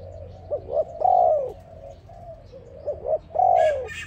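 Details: Dove singing, a recording used to lure other doves into a trap: soft cooing phrases, each two short looping notes followed by a long drawn coo that falls at the end. The phrase repeats twice, with faint high chirps near the close.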